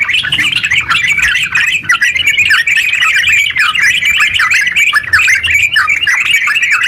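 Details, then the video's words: Energetic yellow-vented bulbul, a cage bird, delivering its long rapid song used as a lure for other bulbuls; a rolling stream of chattering and falling warbled notes, briefly dipping in loudness mid-phrase before resuming. "TERUCk gacor ropel panjang buat pancingan terucu biar bunyi"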